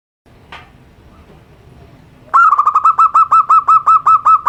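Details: Local zebra dove with a simple voice, used as therapy for birds reluctant to sing: after quiet background hiss, a fast run of about fourteen clipped, pulsing coos on one steady mid pitch.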